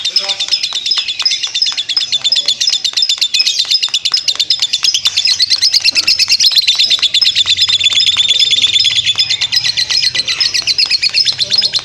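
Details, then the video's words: Lovebird sustaining its ngekek, a lengthy chattering song, as rapid buzzy chirps tick along nearly three a second for the whole stretch, intensifying slightly midway before easing. "burung lovebird ngekek panjang"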